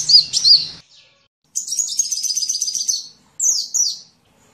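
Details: Sunbird song from a masteran, a recording for training songbirds: three bursts of high, rapid twittering. The middle burst is a long chattering run and the last is a pair of short sliding notes. A faint low hum sounds at the start.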